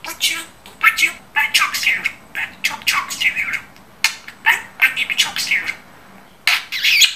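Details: Pet budgerigar, a fluent and clever talker, speaking indoors: quick bursts of squeaky, warbled mimicked speech in short phrases separated by brief pauses, with buzzy chatter between words and no other clear sounds.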